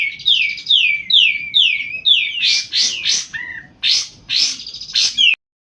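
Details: Sunbird, locally called kolibri ninja, singing actively as a lure recording for other sunbirds: a run of five quick descending whistled slurs, then a series of sharp, high, buzzy bursts with one lower chip, repeated about once a second.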